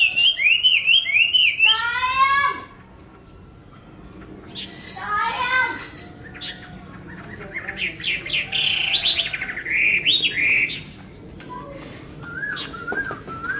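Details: Hwamei song in bursts: a rapid buzzy trill of stacked notes, a pause, another rattling trill, then a loud stretch of rolling whistled phrases and softer slurred notes.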